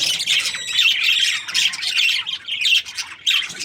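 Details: Budgerigar breeding pair in a happy mood, giving a steady stream of bright, scratchy warbles and quick chirps, almost continuous, with brief dips in loudness.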